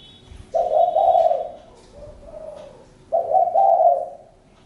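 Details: Spotted dove cooing: a strong, rough, mid-low phrase, then a quieter softer coo, then another loud phrase about three seconds after the first.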